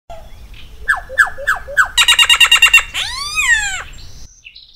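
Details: Solitary cacique (Iraúna-de-bico-branco, Cacicus solitarius) song: four quick downward-slurred notes, then a loud buzzy pulsed rattle of about nine beats, ending in arched, nasal, harmonic-rich whistles; quiet background.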